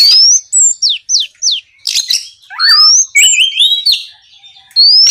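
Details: Oriental magpie-robin singing loudly in 'gacor ngeplong' fashion to prompt other magpie-robins to sing: rising whistle, three falling slurs in a row, rasping bursts, warbled notes and a final rising whistle.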